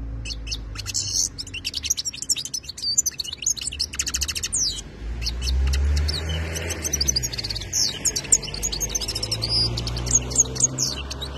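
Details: Wild-type (khalawi) European goldfinch from 2022 delivering rapid twittering song with bright chirps and rattling trills, briefly pausing midway, with a low rumbling hum beneath.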